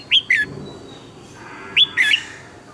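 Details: Red-whiskered bulbul, a training song for teaching caged birds to sing. Two short phrases about a second and a half apart, each a high clear whistle followed by a lower slurred note. Faint background hiss.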